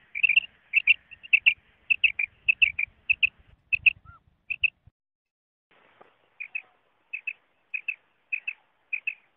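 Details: Common quail call played for hunting. Sharp notes come in repeated pairs, with faint low thumps early on. A short gap follows, then the pairs resume at an even pace.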